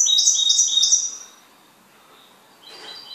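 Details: Goldfinch kept as a pet gives a quick, high, tinkling trilled phrase of about a second. A pause follows, then faint twittering resumes at the end.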